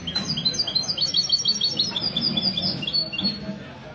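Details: Sunday morning song of a mestizo goldfinch hybrid at a café gathering of a goldfinch society, Ksar El Kebir, Morocco, 16 February 2020. Quick chirping, twittering notes repeated several times a second, with low chatter underneath.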